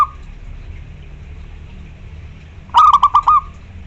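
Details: Local zebra dove, a loud persistent singer, singing to call a rival: late in the clip, one quick stuttering phrase of about four low cooing notes closes on a slightly longer drawn note, over faint steady background hiss.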